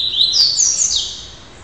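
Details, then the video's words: Immature red-crested cardinal under song training, described as super active and a strong repeater: a loud, clean whistled phrase rising in two slurred steps to a high note, then dropping away, with little else audible. "Cardeal Show de Bola"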